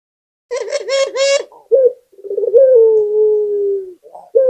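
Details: Barbary dove, a local puter, singing gacor-style as a lure, preceded by a burst of four harsher, buzzy rasping notes. A short coo and a rolling trill follow, then a long coo sliding gently lower.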